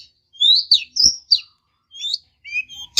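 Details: Long-tailed shrike rival-provoking song: sparse, clear whistled slurs, some rising and some falling, separated by silent gaps, with a soft tap midway and a sharp click at the end.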